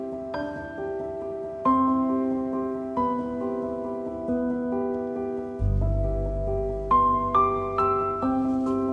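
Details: Gentle piano melody with soft sustained chords, with no animal sounds.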